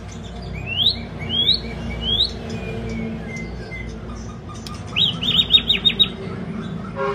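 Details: Song of a white-rumped shama: three rising swept whistles, soft gliding notes, then a quick rattling series of falling notes, heard over a noisy low rumble.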